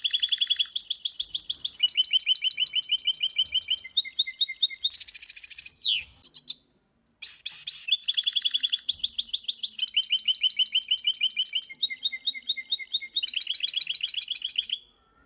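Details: Caged goldfinch x canary mule singing for training, a long continuous song of rapid high chirps, trills and buzzy rolls, one brief pause in the middle, then resuming with steady repeated trilled phrases.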